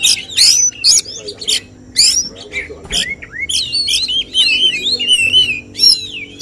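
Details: Oriental magpie-robin at a songbird contest delivering 'tembakan' bursts: scratchy loud phrases, then a sweet run of wavering, warbled whistles gliding up and down, with faint crowd noise beneath.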